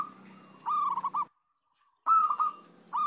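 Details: Lure recording of local zebra doves meant to set silent birds singing. Repeated trilled coos break into short rolling notes. There is a brief pause, then a louder burst of the same phrase. A low background drone is also heard.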